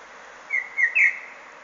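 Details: Blackbird song fragment: three short whistled notes in quick succession, each a little louder than the last, over a steady background hiss.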